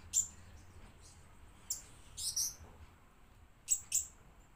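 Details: Lure-bird blue-crowned hanging parrot uttering brief, shrill high-pitched chips, singly and in close pairs, with a raspier double note midway; long quiet gaps between bursts.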